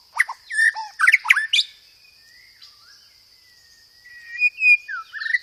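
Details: Murai batu, the white-rumped shama, singing 'roll tembak' material with gereja tarung fill: a burst of loud, harsh chattering notes, a quiet gap, then rising slurred whistles.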